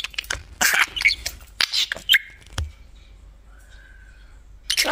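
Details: Pet budgerigar atop its cage: a burst of gritty, speech-like chatter and clicks, then a quiet gap holding a soft, level whistled tone, before chattering resumes at the end.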